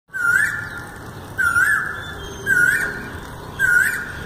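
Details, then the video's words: Asian koel (Indian cuckoo) singing four loud, rising, whistled notes, about one a second, over a steady faint background hiss. "Indian Cuckoo( Koel) Singing"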